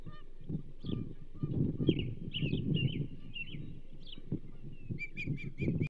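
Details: Fish delivery at the Charlo osprey nest on 27 April 2024: a whole whitefish for the banded female. Slurred whistles run together, then a rapid series of clipped chirps comes near the end, amid gusty low rumbling and bumps.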